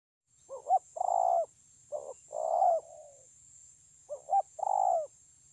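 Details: Spotted dove singing, recorded 9 June 2020: two phrases, each a quick stuttered double note followed by a long, rolling, slightly falling coo. There is a pause between the phrases, and a steady high-pitched hiss runs throughout.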